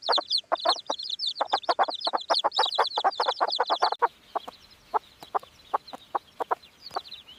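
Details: Hen chicks peeping: rapid high thin peeps in a dense chorus for about four seconds, then sparser scattered peeps, with sharp tapping clicks throughout.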